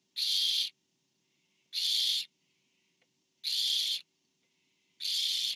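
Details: Barn owl at a nest camera as a parent delivers food to owlet number four, 24 September 2015; harsh, broadband hissing screeches of about half a second, repeated roughly every 1.7 seconds, four in all, with quiet pauses between.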